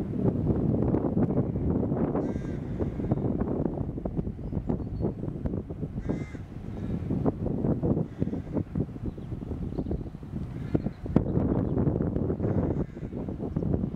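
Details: Rook colony in England before Easter, birds at tree nests holding young; rough cawing calls break out in irregular clusters, some overlapping, under strong gusting wind rumble.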